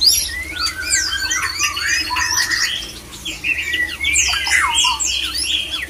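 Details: A male white-rumped shama sings a mating call to stir other shamas into breeding: tangled high whistles, swooping slurs and scratchy notes, nearly nonstop, with quiet low hum in the background.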